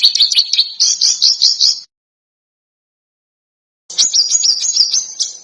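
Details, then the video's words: Tutor recording for contest birds, packed with harsh, sharp bursts. Two bursts of fast, chattering, high-pitched trills are split by roughly two seconds of silence. "Masteran Burung Lomba JERITAN RAPAT DAN KASAR FULL TEMBAKAN TAJAM"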